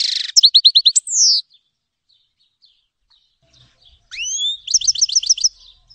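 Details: Grey-headed goldfinch (Carduelis caniceps): a buzz, a run of short repeated notes and a falling sweep, then after silence rising slurred whistles leading into a quick trill.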